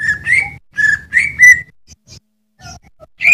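Green leafbird giving clear, rising whistled phrases in quick bursts with short pauses between, over a low steady hum.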